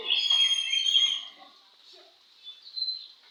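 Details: Short burst of loud, bright whistled song from an Oriental magpie-robin at a singing contest, with faint lower murmurs underneath, fading into quieter notes and a final brief whistle.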